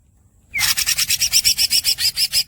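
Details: Greater green leafbird (green cucak) in a masteran recording: a long, harsh, rasping roll of rapid buzzy pulses, about five per second, opening with a short rising squeak.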